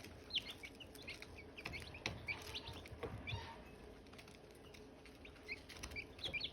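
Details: Silkie chicks with hatching eggs, sparser high chirps scattered across the stretch, single sharp peeps with gaps between, some louder at the start and end, with light rustling and a low hum.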